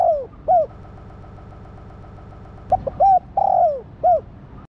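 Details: Female spotted dove calling to stimulate a male: two rounds of cooing, each with short clipped notes, a longer drawn-out coo falling in pitch, then a short curved coo, over low steady background hum.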